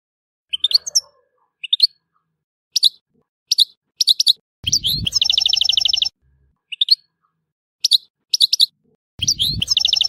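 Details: European goldfinch from Tissemsilt singing. Short bright twittering notes come in small groups about a second apart. Two dense, rapid, buzzy trills break in and are each held about a second and a half.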